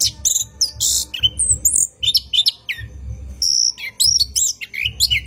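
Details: An orange-headed thrush sings a long rolling ngerol phrase at night, recorded for training caged birds: bright chirps, buzzy bursts and sweet slurred whistles in quick succession, with soft low thumps beneath.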